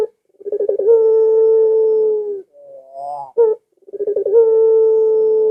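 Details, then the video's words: Barbary dove voice intended to entice home-kept doves to call along. A rapid rolling start swells into a long smooth coo that fades slightly, then quiet rising tones, an abrupt short note and another rolling coo. "Suara Burung Puter Ini Memikat Puter Anda Dirumah Sehingga Ikut Bunyi"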